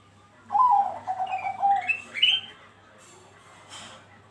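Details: Bangkok-type zebra dove singing on a lure recording meant to prompt other doves to join in: a bright opening note, then a bubbling run of low coos and two sharp rising whistles, followed by faint background noise.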